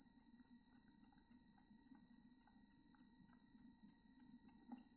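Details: Young chickadees in a bird house nest box, two surviving nestlings from a clutch of seven, give rhythmic high-pitched squeaks, roughly three to four each second, evenly spaced, with a constant low hum underneath.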